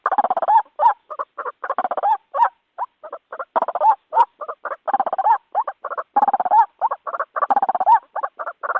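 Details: White-breasted waterhen calls in a recording used as a lure for trapping birds: dense runs of short nasal croaking notes, many in quick bursts and overlapping, with brief pauses between bursts.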